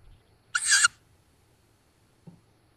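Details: A nest cam in woods near Szokolya, Hungary, on 7 May 2022 captured one strong, raspy, breathy hiss from tawny owl fledglings, followed by a faint knock.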